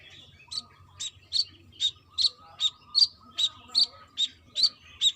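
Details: Brown-throated sunbird, a female calling the male, in vigorous trotol style: sharp high chirps repeated a little more than once a second, with a faint steady hum and low rumble beneath.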